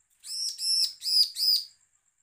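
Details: Bar-winged prinia giving a threatening call, used as a lure to provoke other prinias into calling: four harsh, buzzy, arched notes of about a third of a second each in quick succession, over a faint steady high tone.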